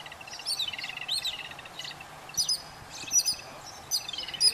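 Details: Yellow-billed babbler chicks being fed by adults: loud bursts of squeaky, wheezy chatter come in clumps about every second, rising and falling notes overlapping, with quieter rasping between bursts.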